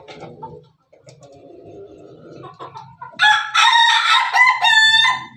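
A Pelung rooster gives one long, loud, ringing crow lasting about two seconds, with a wavering, drawn-out ending. Soft low clucking comes before it.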